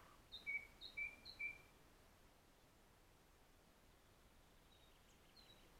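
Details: A Red-backed shrike at its roadside nest on 13 June 2016 gives three quick two-note calls, a high thin note then a lower one, about half a second apart, then only faint distant notes over a steady outdoor hiss.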